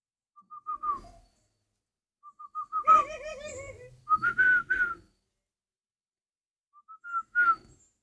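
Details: Spotted dove kept as breeding stock: low, wavering, harmonic-rich coos alternate with bright clear whistled notes near one pitch, in three bursts separated by pauses, in a quiet indoor setting.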